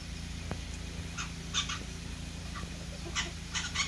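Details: Green jay, with black jays, looking curiously at the observer: a handful of short, harsh, raspy notes, singly and in quick pairs about every half second, over a steady low hum.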